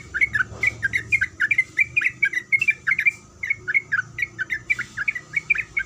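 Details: Female sooty-headed bulbul calling the male: a long run of short, bright chirping notes, roughly four or five a second, some rising and some falling, with a faint low hum underneath.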